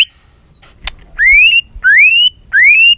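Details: White-rumped shama song in a many-voiced style used to stir birds to sing: three long clear whistles, each sliding smoothly upward, spaced about every second and a half, after a soft click.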